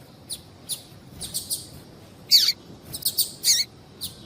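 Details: Double-collared Seedeater female calling to attract males, favored by breeders for female-call contests: sparse, sharp high chips, with a louder downward-sliding note near the middle and a few quick chirps after it.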